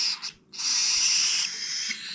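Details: Cockatiel chicks, among the last of the year's young in an aviary, being hand-fed: a harsh, hissing, continuous begging screech held for about a second, after a brief first burst and a short pause.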